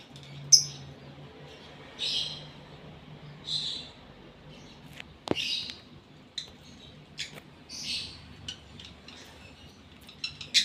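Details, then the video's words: Lovebird in breeding condition giving short, shrill high chirps at irregular intervals of one to two seconds, separated by quiet gaps, with a low steady hum in the background. "Love Bird GARA Birahi Bunyi"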